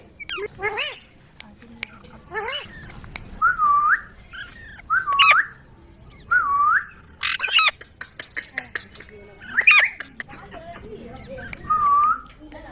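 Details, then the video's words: Ringneck parrot alternating loud harsh squawks with short dipping whistles repeated several times, plus clicks and scraping sounds between calls. "Parrot Talking |Ringneck parrot sound"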